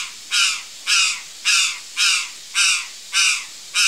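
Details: Curl-crested jay calling among backyard fruit: harsh, loud, raspy caws repeated steadily, about one every half second to 0.6 seconds, each short and broad-toned, over a quiet background.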